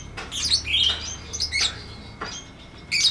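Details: Lovebird chirping in the 'ngetik ngekek' style, used as a tutor recording for lovebirds that have stopped singing: scattered high, sharp chirps and short twittering bursts, with quiet gaps between them.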